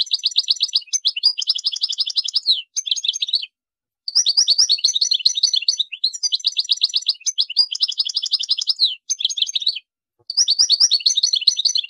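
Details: Long bouts of European goldfinch song, rapid buzzy trills alternating with tinkling twitters, phrases repeated with brief silent gaps between them.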